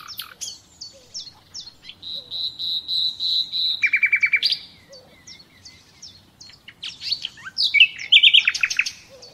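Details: Common nightingale song used for training captive birds: a long steady whistled note, a quick repeated rattle, then varied chirps and sharp upward notes in a dense burst.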